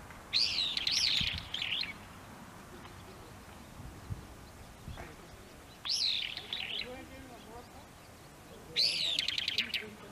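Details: In Moroyama, Saitama, Japan, on 17 March 2022, a brown-eared bulbul in an early-blooming cherry tree in Maekubo Central Park gives three loud, shrill, screechy bursts, each about a second long, separated by pauses of several seconds over a faint low rumble.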